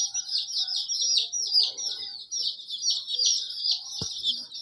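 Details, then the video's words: Colorful chicks beside their hen: a steady stream of overlapping high, slightly descending chirps from many chicks, with one sharp tap or knock near the end. "Hen chirping sound || Hen colorful Babies"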